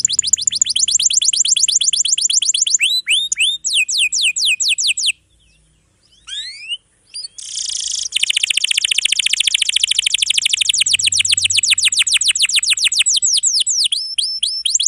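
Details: Atlantic canary song with long rolls, for young or silent canaries: rapid falling notes in tight series, a short pause with scattered rising slurs, then a harsh buzz and a long fast trill of sweeping notes.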